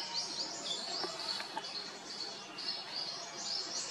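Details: A Whitethroat eating fruits in India (IIT Kanpur) gives short, high, thin call notes, repeated roughly every third of a second over a steady hiss of background noise.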